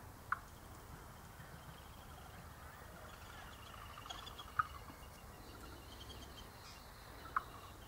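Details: Red wattlebird, lured to a sugar-syrup bottle hung in a White Cypress tree, gives three short, sharp chock notes spaced several seconds apart over steady hiss; a spiny-cheeked honeyeater is also calling nearby.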